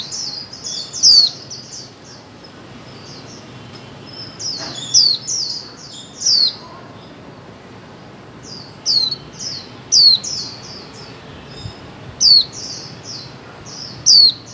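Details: Long series of female white-eye calls used to stimulate mute birds: clusters of high, thin slurred notes, each capped by a sharp downward chirp, recurring every one to two seconds.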